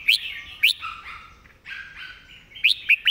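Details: Red-whiskered bulbul master song with fast, repeated phrasing: crisp rising-then-falling whistles at the start and end. A soft jumble of warbled notes fills the middle, over faint background chatter.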